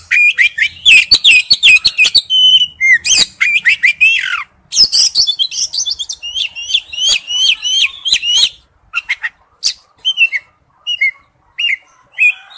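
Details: Male oriental magpie-robin calls to a female in an extended, energetic sequence of rapid clicks, buzzy notes and bright whistles, thinning toward the end into spaced, sharp upslurred chips.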